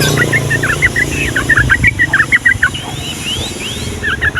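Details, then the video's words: Rapid chirping 'ropel' run of a yellow-vented bulbul, used to tutor young birds, over noticeable low rumbling noise, with high rising whistles from another bird near the end. "SUARA BURUNG TRUCUKAN GACOR ROPEL PANJANG UNTUK MASTERAN DAN PANCINGAN TRUCUKAN PAUD"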